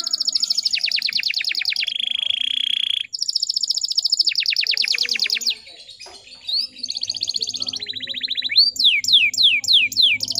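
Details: Female canary lure sound for getting untrained male canaries to sing. Long fast trills of descending notes run in two bursts, a quieter gap follows, then rising slurred notes repeated about every half second.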